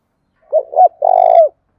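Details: Vietnamese spotted dove giving thúc gù cooing, a lure bird: two brief soft hoots lead into a long, rough, vibrating coo that slides down at the close; no other sounds.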